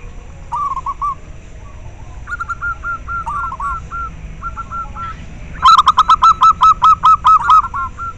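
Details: Local zebra dove song for stimulating breeding drive in captive birds and for luring. Gentle, hesitant coo phrases at varying pitches build into a loud, evenly repeated series of about a dozen punchy notes.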